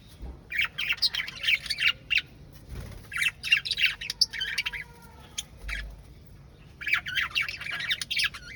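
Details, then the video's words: Parrot singing in quick bursts of raspy, warbling chatter with some clearer whistled tones, repeated irregularly with brief pauses and occasional low thuds. "Parrot singing"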